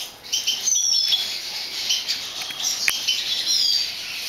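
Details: Lesser goldfinch, subspecies jouyi, kept by a bird breeder in 2011, gives a dense, high-pitched twitter of quick chirps mixed with sliding whistled notes, sustained throughout with a sharp click near the end.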